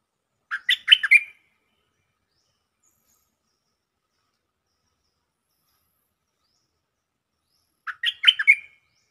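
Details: Stripe-throated bulbul lure song from a cage bird: two identical bubbling five-note warbled phrases about seven seconds apart, separated by silence.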